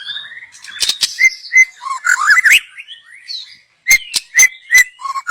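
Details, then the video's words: Song of a young forest-dwelling white-rumped shama, used for luring: rich warbling with rising slurred whistles, a short pause, then several loud sharp whistled chips in quick series. "Kicau burung MURAI BATU Muda Hutan. Cocom untuk pancingan"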